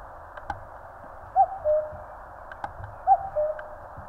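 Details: A common cuckoo in the mountains of Korea gives its two-note cuck-oo twice, about two seconds apart, each a higher note falling to a lower one, over a soft hiss and faint clicks.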